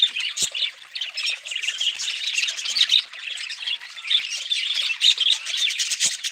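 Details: Budgerigar flock keeps up a busy warbling chatter punctuated by loud harsh squawks, with occasional faint knocks in the background.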